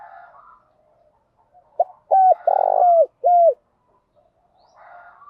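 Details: Spotted dove cooing, male and female, used to lure and stimulate other doves: a short clipped note followed by three loud, mellow, level coos, the middle one longest, with faint softer coos before and after.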